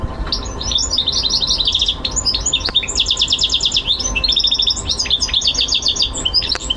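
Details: Goldfinch mule, a hybrid, singing in February 2011: a continuous, high, fast warbling of twittering notes and rapid rattling trills, with brief liquid phrases and clicks between runs.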